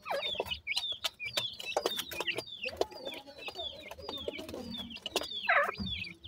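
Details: Clear, high peeps from grey francolin chicks, each note a quick downward slur, repeated in loose runs over soft rustling and occasional taps.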